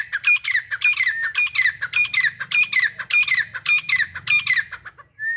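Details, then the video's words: Grey francolin pair (Dhakni teetar): about eight harsh, ringing phrases in steady succession roughly every half second, ending with a short whistle, over a faint low hum. "Daily Sweet Voice of Teetar Pair | Cute and Natural Voice of Dhakni Teetar"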